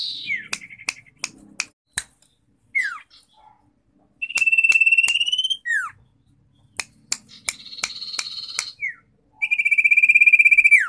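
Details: Common iora song: crisp clicks open, followed by downward-slurred whistles, two long pulsed trills, and a buzzy rattling phrase, all separated by brief pauses.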